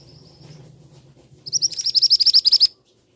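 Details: Shrill call of a male scarlet minivet: a thin high note, then a fast run of about twelve piercing, clipped notes lasting just over a second, ending abruptly into silence.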